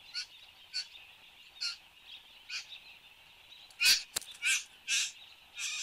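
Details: In Australia on the morning of 10 January 2015 at 8:02, a satin bowerbird gives soft rasping notes that build to louder, broad hissing bursts and a sharp click, over a persistent high drone.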